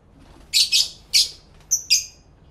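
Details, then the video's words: Pet lovebirds chattering to each other, captured in stereo by a camera with two external microphones: five sharp, harsh high chirps in two bursts, the last two thinner and more whistled, over a quiet background. "1 Hour Lovebird Sounds High Quality Stereo Live Recording V3"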